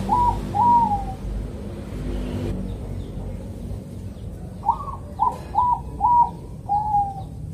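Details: Bangkok zebra dove from Kediri, East Java, giving its calm morning song used to lure other zebra doves into song: two short bursts of bouncing coos, each ending in a drawn note, separated by a noisy pause.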